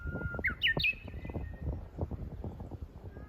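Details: Lesser cuckoo calling in spring, heard on a walk: a steady whistled note, then a quick run of sharp notes climbing in steps to a higher pitch, over crunching footsteps.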